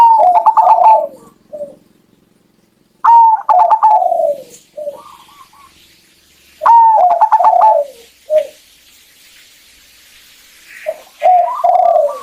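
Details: Zebra dove female lure call for making a male sing: four stuttering cooing phrases separated by pauses of two to three seconds, each a whistled note with rapid pulses ending in low falling coos.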